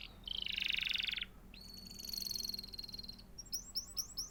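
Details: Canary chirping: a loud, dense buzzy roll held for about a second, a long thin high whistled trill after it, then quick downslurred chip notes repeated in a rapid series, over a faint constant hum.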